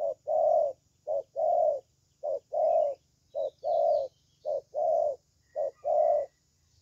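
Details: Young spotted dove singing well, repeating six evenly spaced pairs of a short coo and a longer rolling coo, with faint high twittering from another bird behind.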